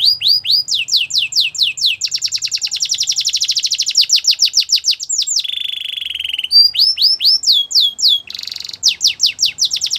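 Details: Belgian canary singing in the morning, a long varied performance of high downslurred whistles, fast rolling trills and a lower buzzy tone, with phrases changing every few seconds.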